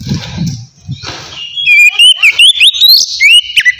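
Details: Oriental magpie-robin singing in a relaxed, open-throated ngeplong style, used as a lure for wild-caught birds; after about a second and a half of low rumbling noise, loud clear whistled notes sweep up and down in a fast, varied phrase.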